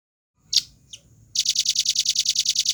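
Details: Red-billed nuthatch, a tutor recording in the fast, dense, clear style with pauses. Two separate high chip notes come first, then a quick steady run of sharp, high repeated notes begins.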